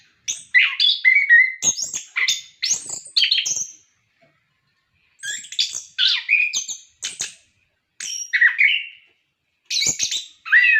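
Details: Orange-headed thrush singing in bursts to prompt captive birds: clusters of rapid varied whistles, chips and falling slurred notes, each phrase two to three seconds long, with clear silent gaps between.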